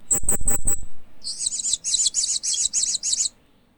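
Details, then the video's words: A hanging parrot (Loriculus) gives four sharp, hard-edged chirps, then a quick run of about eight thin, very high, buzzy chirps spaced about a quarter-second apart. "Loriculus Bird Chirping"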